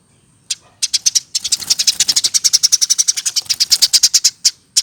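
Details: Caged Eurasian tree sparrow, hand-reared from a nestling and over one year old, singing a long run of rapid sharp chirps about six per second, dense and steady through most of the clip.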